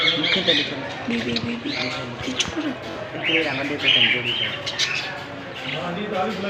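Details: Several little Australian parrots chattering in a steady stream of scratchy warbles and sharp squeaks, with brief louder squawks around the middle and a low background murmur.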